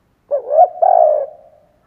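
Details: Spotted dove used as a decoy, one cooing phrase: a brief note, a swelling second note, then a long steady coo fading away.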